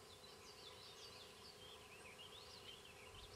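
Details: Nestlings in a fence-post nest near Queen's University Biological Station are fed by banded Black-capped Chickadee parents in spring 2006. Faint, high, warbling squeaks twist up and down in an unbroken string against steady low background noise.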